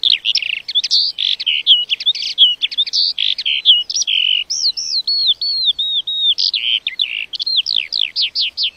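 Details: A lark pours out a rapid jumble of high chirps and trills, then shifts to a run of arched, looping whistles and ends with quick repeated down-slurred notes.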